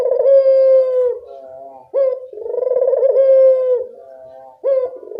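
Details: Repeated dove coos used to coax a silent bird into calling: a brief rising lead note, then a sustained smooth tone dropping into a softer, lower trailing murmur, with phrases coming roughly every two and a half seconds.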